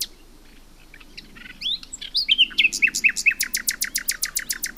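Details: Nightingale song starting with quick varied chirps and short slurred whistles that speed into a loud, regular volley of sharp repeated notes to the end.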